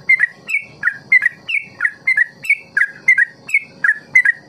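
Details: Sooty-headed bulbul singing in the ropel style, a recording meant to teach young birds long ropel song; short slurred whistled notes, some falling and some rising, follow one another at about two or three per second.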